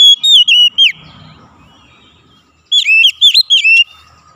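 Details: Caged white-rumped shama song therapy track: a run of clear, swooping whistles, a quiet pause, then another lively burst of looping whistled notes.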